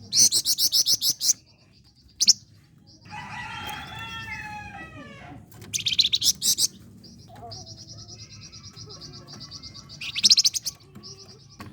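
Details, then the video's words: Flame-breasted flowerpecker singing actively, used as a lure for contest songbirds: bursts of rapid, thin, very high ticking notes and sustained buzzy trills, separated by pauses, with a lower wavering harmonic call in the middle. "Flamboyan Gacor !! Pancingan AMPUH Buat Burung Gantangan"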